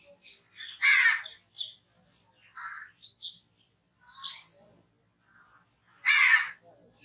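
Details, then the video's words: Crow giving two loud, harsh caws about five seconds apart, with softer clicks, croaks and chirpy notes scattered between them. "crow sounds"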